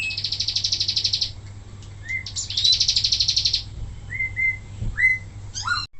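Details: Wambi mini recorded for training other birds: two long, dense, buzzy trills, then short clear whistled notes and a few sharp upswept calls, with a low hum in the background.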